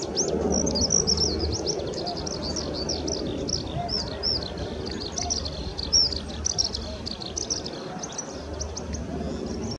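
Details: Eurasian skylark singing at Ōhori River on 22 May 2016: a continuous rapid stream of high twittering and trilled notes with no pauses, over steady low background noise.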